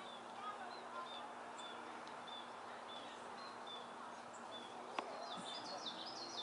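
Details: A green-backed adult lesser goldfinch, recorded on 25 May 2013, gives soft, high, thin notes about twice a second, ending in a quick run of sweet twittering, over a steady background hiss.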